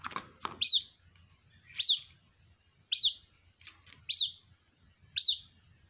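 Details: A white-breasted waterhen chick calls to its mother with five piercing descending peeps, roughly one every 1.1 seconds, after a couple of brief clicks and knocks at the start.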